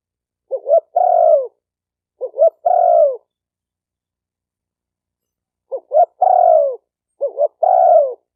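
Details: Cooing of a spotted dove used to train newly caught birds: two phrases, a long pause, then two more, each a brief broken double note leading into a drawn-out low coo that sags at the end.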